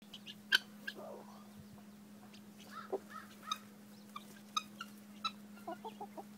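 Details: Guineafowl hanging out with chickens and picking grain on a lazy Wednesday morning give short, harsh, staccato calls in an irregular series over a steady low hum.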